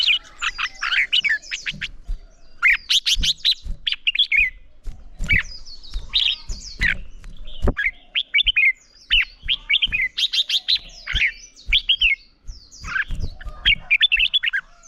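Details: Red-whiskered bulbul singing in the morning, trained for fierce competition song: dense, continuous run of bright whistled and chirpy warbles, phrases following closely one after another with brief gaps and faint thumps beneath.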